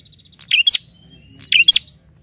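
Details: Bar-winged prinia addressing a rival with two sharp double chirps about a second apart, preceded by a faint buzzy trill.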